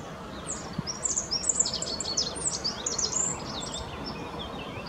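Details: Rock bunting, Zippammer in German, singing along the Apolloweg at Valwig in the Moselle valley, Germany: a burst of high, thin, rapid twittering notes lasting about two and a half seconds over a steady background hiss.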